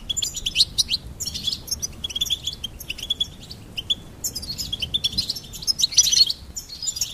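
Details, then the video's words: Goldfinch singing for bird stimulation, with chattering bursts of high tweets and trills in several phrases and a louder liquid twitter toward the end. "Charming Goldfinch Peep Fun for bird stimulation birds chirping"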